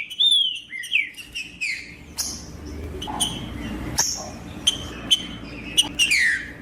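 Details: Trinca-ferro (green-winged saltator) singing as a male asserting itself to provoke and excite rival males. Loud, clear whistled phrases with slurred falling notes are repeated in quick bursts, mixed with sharp chips and a faint background hum.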